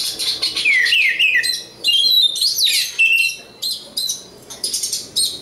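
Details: Oriental magpie-robin, a local bird from East Java, Indonesia, singing varied whistled phrases: sweeping slurred notes that rise and fall, mixed with high buzzy fragments and short pauses between phrases.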